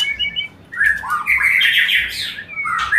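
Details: White-rumped shama, a lure for mating; loud close phrases of harsh buzzy notes and rising whistles, broken by a brief pause, with a ticking low pulse underneath.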